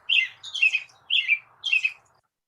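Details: American Robin giving its most common song: four clear, slurred whistled phrases, each rising then falling, about half a second apart, over a faint background hiss.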